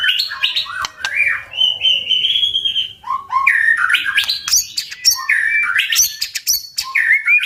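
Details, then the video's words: Strong 'tach' song of a white-rumped shama, played to provoke birds into fighting; rich, continuous whistled phrases mixed with dry clicks and high sharp notes, varying constantly in pitch. "Chòe lửa tạch cực mạnh để kích chim đấu"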